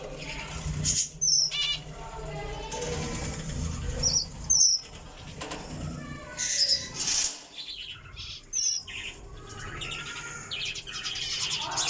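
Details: Java sparrow giving short, sharp, high chirps at irregular intervals, about five in twelve seconds, mixed with wing-flapping and rustling noises.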